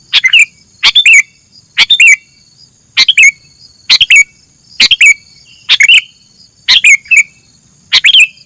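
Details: Sooty-headed bulbul played as a bird-catching lure, giving quick chattering phrases that finish in a downward-sliding whistle, about one phrase per second, with a constant faint high-pitched tone behind.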